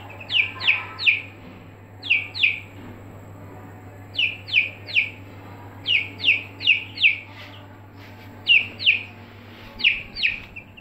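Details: Aseel chicks kept in a brooder: loud, high, downward-sliding peeps delivered in quick bursts of two to four, bursts coming about every second, over a constant low electrical hum.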